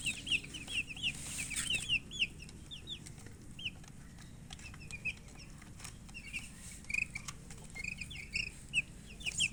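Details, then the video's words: Hens chirping in rapid runs of thin, high, down-slurred peeps, a dense burst at the start, a quieter stretch with soft rustles, then renewed clustered chirps toward the end. "silly chicken chirping sounds with murgi hen color chicken"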